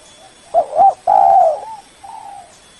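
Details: Spotted dove lure call used to draw in a rival: low, mellow cooing, a short coo, then a longer, stronger coo, followed by a softer, drawn-out final note, against a quiet background.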